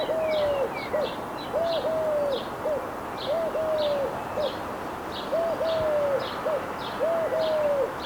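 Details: Eurasian collared dove recorded in the wild, giving soft low coos in a three-part phrase: a short note, a long drawn-out note, then a short note, repeated about every 1.7 seconds, over faint high chirps from other birds.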